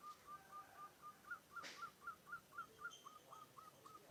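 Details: Munia mimicking a zebra dove's coo, giving a steady run of short whistled slurred notes about four per second for four seconds, briefly crossed by a sharp click midway and faint higher chirps near the end.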